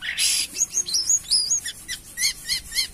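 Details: Jalak kapas myna singing actively (gacor): a harsh noisy burst, then wavering whistled notes and a series of evenly spaced, repeated chirps.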